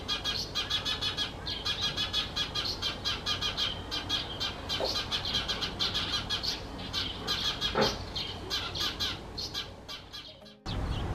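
A busy chorus of Eurasian tree sparrows: dense, overlapping bright chirps repeated almost nonstop. A brief rumble of wind or handling noise comes at the very end.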